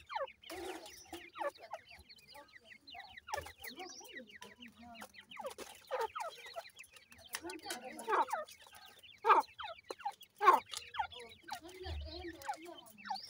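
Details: Francolin (teetar) chicks feeding, giving a dense chorus of short, high, rapidly repeated chirps and peeps from several birds overlapping, with a few louder sharp notes standing out.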